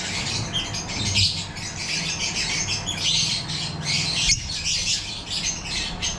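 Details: Yellow-collared lovebirds (African lovebirds, personata) in an aviary breeding setup: dense, continuous shrill chattering and squawks from many birds overlapping, with brief louder bursts near one and four seconds over a low steady hum.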